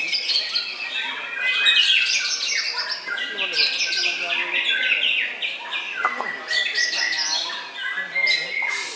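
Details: Contest white-rumped shama (murai batu) at Gantangan Puspa Agro, Jemundo, Sidoarjo, Indonesia: a dense, loud chorus of overlapping whistled phrases and chattering notes from competing birds.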